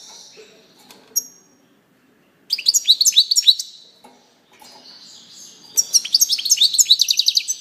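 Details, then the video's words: Faint chips and a thin whistle, silence, then a brisk goldfinch twittering phrase; after a gap, soft warbling builds into a long bright jangling run. "chardonneret song saka kuşu sesi"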